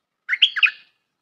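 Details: Bulbul call used as a trapping lure: a short burst of bright chattering notes with a fluttering rise and fall, under one second long, in an otherwise silent recording.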